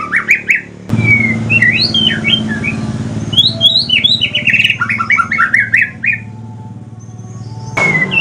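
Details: Male white-rumped shama from Aceh singing in the pastol style: bursts of rising whistles, then a long fast cascade of sharp descending slurred notes, a quiet gap, over a constant low hum.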